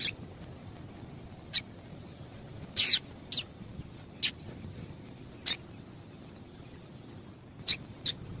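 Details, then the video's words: Female double-collared seedeater calling, a call used to stimulate males before singing: about eight very short, sharp, high chips spaced irregularly, some after gaps of over a second, over a soft low background hiss. "Piado de Fêmea de Papa capim para Esquenta papa capim"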